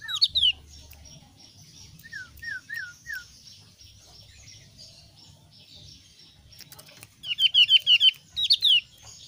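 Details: Javan grey-throated white-eye of the thin-browed type: bursts of sharp, high chirps sliding steeply downward, a short run of four lower slurred notes in the middle, then rapid repeated chirp volleys near the end.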